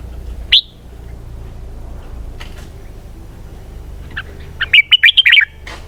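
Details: A sharp whistled note from a red-whiskered bulbul, then a quiet stretch, then a rapid series of five or six slurred whistles in its 'double-twist' song style.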